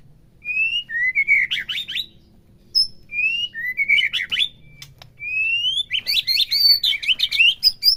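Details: White-rumped shama song played to provoke a captive bird into full singing: clear rising whistled notes alternating with bursts of fast, sharp chattering phrases, separated by short pauses, over a faint low hum.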